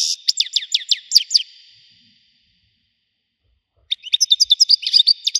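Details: Goldfinch singing Widani song: a series of sharp, downward-flicked chirps, a pause, then a fast run of jingling twitters and short buzzes.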